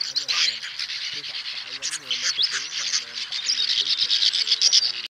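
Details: Swiftlet flock call, males and females gathering the flock to roost, used to lure birds: continuous high, buzzy twittering with many overlapping chirps, rising in loudness toward the end.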